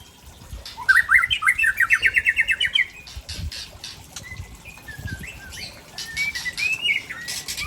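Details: White-rumped shama of Aceh origin from Tangse, singing a varied repertoire: a fast rhythmic burst of repeated rising notes near the start, then scattered whistled phrases and sweeping notes, with some background noise.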